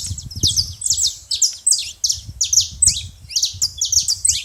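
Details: Saffron finch chatter at a feeding station: many shrill, clipped chirps tumbling over one another, high and bright, steady throughout, over a soft low background hum.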